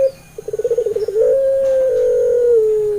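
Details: Puter pelung dove song used as a lure to coax other doves into singing: a rapid pulsed stutter that rises into one long, steady, drawn-out coo, slowly sliding lower at the end.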